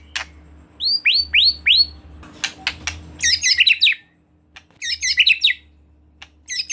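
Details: Constantly singing white-rumped shama used as a lure for a young bird: three upswept whistled notes, then complex twisting high phrases in short bursts with pauses and clicks.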